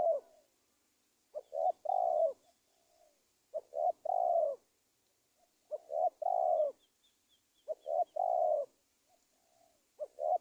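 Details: Spotted dove coo repeated as a trapping lure for wild doves in Indonesia: five phrases about two seconds apart, each a clipped low note, a short coo and a longer falling hollow coo, with faint high chirps behind.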